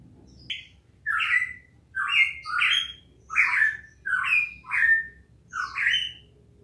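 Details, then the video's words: Cucak emas, Papua type, singing loud whistled phrases, each a rich slurred note with rising and falling inflections, delivered in a steady series about every half second to second with short pauses, low background hum. "Cucak emas papua"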